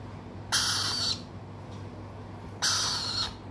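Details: Young Swainson's lorikeet chick responding after being called by name: two loud, grating screeches, each about half a second long, two seconds apart, over a low indoor hum.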